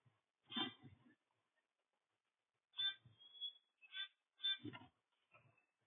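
A blue jay gives harsh, scratchy, nasal calls: one burst, a pause of nearly two seconds, then three or four more in quick succession.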